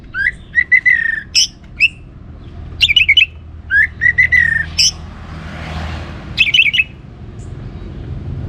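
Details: Orange-headed thrush in lively song meant to stimulate other birds to sing; separate loud, harsh, slurred phrases with pauses between them, some buzzy and some rising, over a low background rumble.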